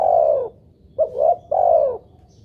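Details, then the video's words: Spotted dove cooing, played as a lure to make other doves call: a long mellow low note, a pause, a quick rising double coo, then another long note that slides gently downward. The background is quiet. "pancingan burung tekukur buat derkuku agar bunyi"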